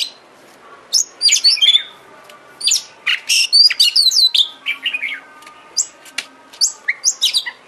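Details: Oriental magpie-robin (kacer) song used as a bait recording to get a kacer singing and spreading its tail: bursts of high, varied whistles and chirps, some rising or falling, in quick groups with short pauses, over a faint steady low hum.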